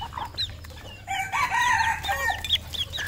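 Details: Red junglefowl crowing: a loud harmonic crow runs about a second, with an uneven, wavering finish, among other fowl clucking and calling in the background.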